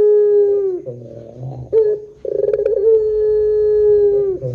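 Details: Lure call of a Barbary dove in the long 'pelung' coo style: a sustained low note slides down, then a soft throaty passage follows, and a fast rolling burr leads into another long steady coo.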